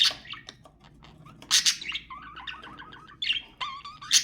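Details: Budgerigar warble for mating stimulation: scattered clicks and chirps, then harsh squawk bursts, followed by a run of quick wavy whistled notes and a final shrill squeak.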